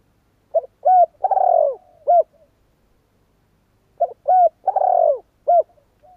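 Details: A spotted dove repeats the same cooing phrase twice, about three seconds apart. Each phrase has short hollow coos framing a long, buzzy, downward-slurred note, ending with a brief clear coo. The background is quiet.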